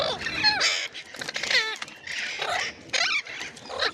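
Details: Ringneck parrot screeching: four separate shrill harsh calls, several sliding steeply downward, each lasting under half a second with brief gaps between them.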